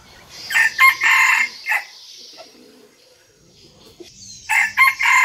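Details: A mini decoy red junglefowl, a keen crower said to crow at every dawn, gives a harsh, stepped multi-note crow in the first two seconds and starts another near the end, over a steady high hiss.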